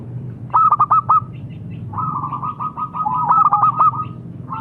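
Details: Local zebra dove: a brief burst of four bright notes, then a drawn-out, rolling phrase of quick notes blending into further crisp beats, over low background rumble.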